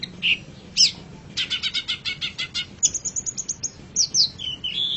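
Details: Long-tailed shrike song used as a master for pet birds: a whistle and a sharp note, a rapid buzzy trill, then a string of high thin whistles and downslurred phrases.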